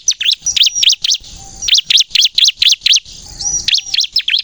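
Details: Bar-winged prinia (ciblek kristal) calling in bursts: clusters of four to six high, sharp chirps separated by short pauses with faint thin whistles between.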